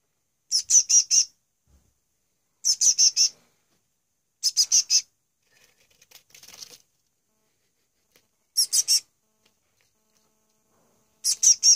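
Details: A young male bird chick begs while being hand-fed on his second day in care: bursts of four or five shrill, high, rapid chirps, separated by silences of about two seconds, with a soft rustle between them.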